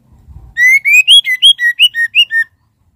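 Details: A female white-rumped shama calls to a male with a clean run of about ten clear whistled notes, alternately rising and falling, evenly spaced over two seconds. Silent background.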